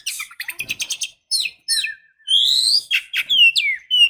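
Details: A female white-rumped shama calls to stimulate the male: fast runs of high, sharp chirps, then buzzy, rising whistled strokes and squeaky, falling notes, all high-pitched and close, with no other sounds.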